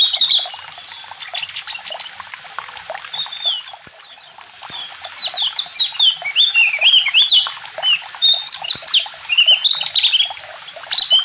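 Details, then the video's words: Javan grey-throated white-eye singing in the ngalas and nyiul styles: a lively, rambling stream of bright whistled and chattering notes, sliding up and down, with short pauses and no other sounds. "OPIOR JAWA NGALAS DAN NYIUL ASIK"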